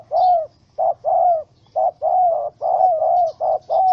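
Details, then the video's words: Spotted dove, wild, trapped with a small rope and angry, 04/07/2017: roughly six quick pairs of low coos, each short note running into a longer falling coo. "Sound Of Angry, Wild Bird Trap With Small Rope: Birds Spotted dove(Spilopelia chinensis)"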